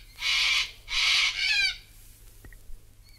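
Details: A Sulphur-crested Cockatoo (Cacatua galerita) in Australia gives three loud, harsh, raspy screeches in quick succession, the last one wavering, and a faint chirp follows in the quiet afterwards.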